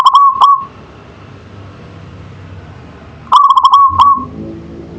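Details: Local zebra dove in manggung song. It gives two rolling coo phrases of rapid pulsing notes about three seconds apart, each ending in a stretched tone, with quiet rumble underneath.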